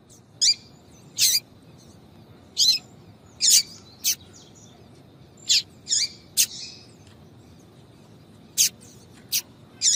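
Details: Female yellow-bellied seedeater (papa-capim) calling, used to attract and excite males: short, very high, sharp chirps given singly or in pairs at irregular intervals of one to two seconds over a quiet background.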